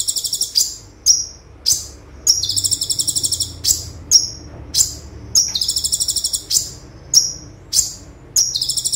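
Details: Konin, or olive-backed sunbird, in full tembakan song recorded as a tutor. Thin, sharp downswept notes alternate with buzzy stuttering trills in quick succession, nearly continuous over nine seconds.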